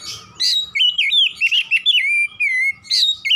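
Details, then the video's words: Oriental magpie-robin delivering a continuous 'gacor nembak-nembak' phrase, a loud string of clear, looping whistles that rise and fall rapidly, closing with a long falling note and a sharp high burst. "KACER GACOR NEMBAK NEMBAK"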